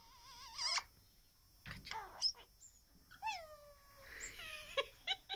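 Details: A hand-reared pet Australian king parrot that loves to chat gives a run of varied chattering notes: wavering whistles, sharp squeaks and a few falling, voice-like phrases, with light background hiss.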